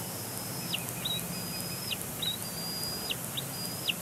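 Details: Complaining bald eagle chick on a Big Bear Lake nest, April 27, 2022; long level high whistles, each ending in a quick downward flick, repeated roughly every second above constant low hiss.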